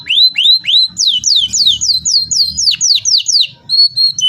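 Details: Canary in energetic rolling song used as a lure and tutor for other canaries: a loud series of repeated upswept whistles, then rapid descending slurred notes about three per second, ending in short clear whistles.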